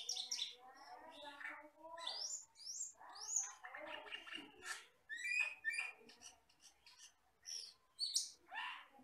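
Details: Common hill myna, a very wild forest bird described as jet black with red eyes, used as a training recording for other birds. Varied chattering phrases with gurgling, throaty notes mixed with sharp high whistles and rising squeaks, in rapid bursts.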